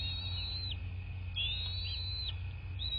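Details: Bald eagle at its southwest Florida nest, recorded by nest camera on 26 February 2024 at 09:21; high, thin whistled notes in drawn-out wavering phrases, some ending in quick downward flicks, over continuous low hum.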